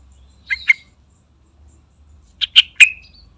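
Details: Chatty yellow-vented bulbul lure call: a pair of quick bubbly chirps, a pause of nearly two seconds, then three louder chirps, the last trailing into a short whistle.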